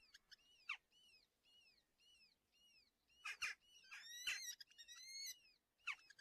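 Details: Two red-footed falcon chicks in a nest in a natural breeding colony near Polgár, Hungary, at breakfast feeding on June 21, 2024. They give repeated arched, whining calls about once a second, broken by a few loud rustling bursts.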